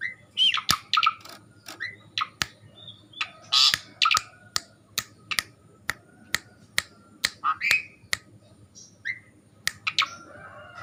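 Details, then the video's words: Strange calls of a Javan pied starling, a rapid series of sharp clicks with harsh chattering squawks and brief whistled notes repeated through the recording, little background noise. "suara aneh jalak suren"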